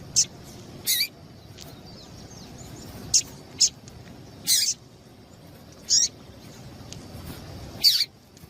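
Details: Female double-collared seedeater calling to provoke male song. About eight short, high, piercing chirps are spaced irregularly across the recording, some single and some slightly longer, over quiet background noise.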